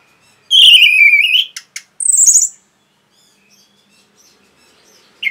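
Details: Training song of the orange-headed thrush for caged birds: a long loud slurred whistle falling then rising, two short sharp clicks, and a bright high descending whistle, then quiet.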